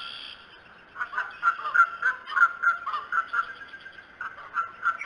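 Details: Bald eagle at the Decorah nest, morning of 21 March 2018: a long series of sharp, repeated notes delivered several per second, uneven in rhythm and fading toward the end, over a steady hum.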